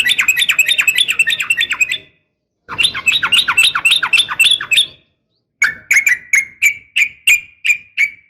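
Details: Female yellow-vented bulbul calling the male, a training call for caged birds. Rapid bubbling chatter in two long bursts, then a separate run of sharp clipped notes repeated about three times a second.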